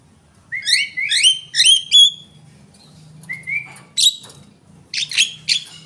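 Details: Javan myna in full song, opening with four rich, rising whistled notes with strong overtones, then a softer upslurred whistle followed by sharp, harsh, grating bursts.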